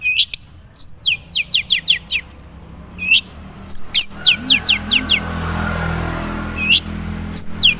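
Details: Natural voice of a Madura long-tailed shrike with few imitated phrases: bursts of rapid, high down-slurred whistles in clustered runs of three to five, separated by pauses, over low rumbling background noise.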